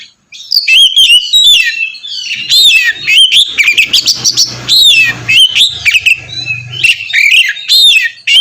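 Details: Provoking 'ngeplong' song of an Oriental magpie-robin: loud, rapid whistled and chattering phrases running almost without pause, over a low steady hum in the middle section.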